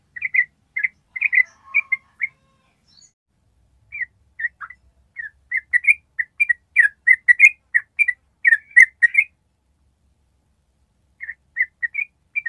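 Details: Yellow-vented bulbul giving its long ropel trill in bursts. Bright, chirpy whistled notes run in quick series, with a pause of a few seconds and a longer run before another silence and a short final burst.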